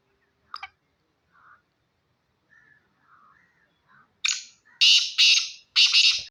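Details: Pakistani black francolin, Sindhi kala teetar, calling: a few soft scratchy notes build into three loud, harsh, grating bursts near the end, rough and broadband, in an otherwise quiet setting.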